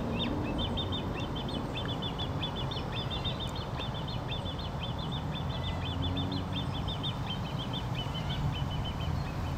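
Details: Begging from a great crested grebe chick at Smithpool, Fenton: a long, rapid run of high squeaky peeps in small clusters, steady throughout, against heavy low wind noise.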